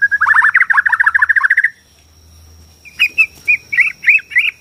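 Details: White-rumped shama, Borneo, heard in fast rattling trills of low whistled notes, a pause, then clear repeated whistled notes, played to stir shamas into singing and fighting.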